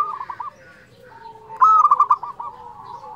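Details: Steady-singing local zebra dove in fluting voice, meant to provoke and arouse other doves; a faint rolling trill, a pause, then a loud burst of quick pulsed coos fading to softer notes.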